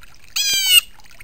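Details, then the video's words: A Blue Jay gives one harsh, nasal, grating scream lasting about half a second while bathing, with faint background noise; the bird is thought to be warning others off as it bathes. "blue jay screams"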